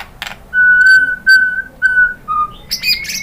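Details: Song of a white-rumped shama meant to provoke other birds: clear, pure, level whistles, each held for about half a second, separated by short gaps, then a lower note and a brief chattering flourish.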